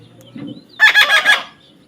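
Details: Parrot in a field, a low murmur followed by a burst of four nasal, harmonic syllables in rapid succession, the last one slightly weaker.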